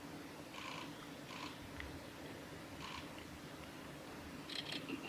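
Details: Recorded on 17 March 2018 along the Hayatogawa forest road by Lake Miyagase, Japan: a male Siberian long-tailed rosefinch calls with gentle short whistles, ending in a quick, sharper double note, all over a low steady hum.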